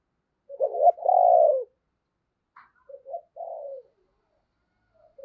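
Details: A spotted dove decoy bird cooing to stir up wild doves, "giọng sấm" voice: a stuttered note into a long resonant coo, then after a pause a softer double note and a falling coo.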